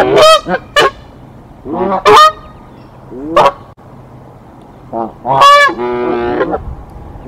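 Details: Mother and father Canada goose defending their Decorah nest against an intruding goose on 1 April 2024: scattered loud honks with upward sweeps, separated by quiet gaps, ending in a long grating call.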